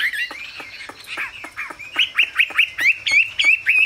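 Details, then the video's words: Chinese hwamei delivering rapid whistled notes, many sharp downslurs and short rising whistles repeated several times a second, steady and loud throughout. "Họa mi siêu phẩm, người dai miên man"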